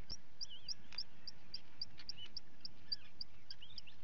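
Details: Common guillemot chicks at feeding, recorded on a live webcam on 28 June 2020: sharp, high peeping notes repeated about three to four times a second, with lower looping calls and steady noise behind.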